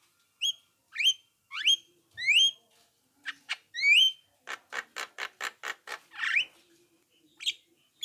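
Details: Javan myna call played as a lure so other mynas answer: loud rising whistled notes with bright overtones, then a rapid run of harsh, clicking rattles and a final rising squawk.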